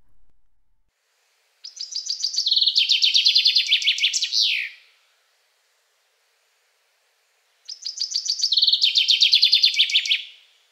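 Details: Male Common Chaffinch song, one of eleven males sampled: two energetic phrases of rapid descending twittering trills at shifting pitches, each closing with a loud, clear downslurred flourish, separated by about three seconds of silence.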